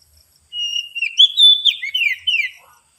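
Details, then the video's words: Oriental magpie-robin lure sound used for luring birds: a loud, clear whistled phrase, starting with a long steady whistle and then breaking into rising and falling slurred notes, with thin high notes above, against a silent background. "suara pikat burung kacer"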